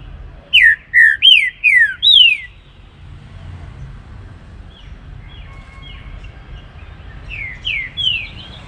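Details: Trinca-ferro (green-winged saltator) singing baruc style in the morning: five loud whistled notes in rapid series, each sliding downward, followed by quieter distant whistles and a final soft phrase.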